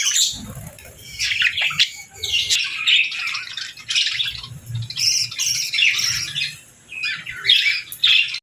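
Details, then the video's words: Group of caged budgies chirping in the evening at feeding time with seeds and millet: a dense, continuous chatter of warbles, squawks and high chirps from many birds, with rustling wings. "Budgies Evening Fun 🕊️🌿 | Chirping Sounds & Feeding Time Delight"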